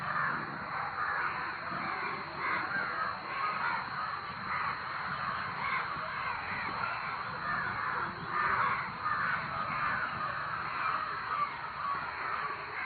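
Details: A flock of crows raising a loud racket, continuous overlapping harsh caws that swell and fade in waves throughout.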